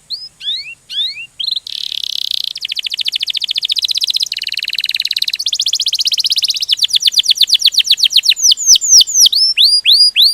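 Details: Canary delivering vigorous ngerol rolling song: a few rising whistled slurs, then long rapid buzzing trills changing speed and tone, finishing with a string of sharp downward-swooping whistles about four per second.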